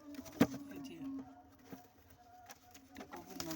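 A racing pigeon gives low, soft, droning coos, with a sharp knock near the start.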